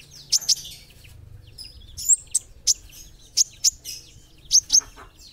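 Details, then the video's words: Olive-backed sunbird (kolibri ninja) singing actively: paired, piercing high chips and short thin slurs repeated at intervals of about half a second to a second, over a faint low background rumble at the start. "masteran kolibri ninja gacor"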